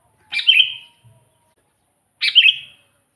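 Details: Kutilang, the Sooty-headed bulbul, sounding to attract wild bulbuls for catching; two short bubbly chirped notes about two seconds apart, each a quick drop in pitch, otherwise quiet.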